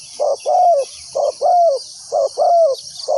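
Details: Spotted dove decoy calling to lure wild doves to a trap: cooing phrases of a short note followed by a longer, slightly falling coo, repeated about once a second, over a steady high insect drone.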